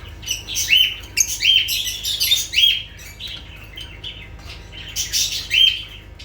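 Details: Lovebirds giving fast bursts of shrill chirps and squeaky whistled notes, several in quick runs, with brief pauses between bouts.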